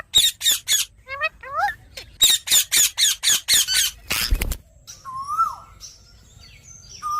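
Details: Ringneck parrot giving a rapid run of harsh, grating squawks, about four per second, broken by a pause, then a few thin rising and falling whistles over faint background noise.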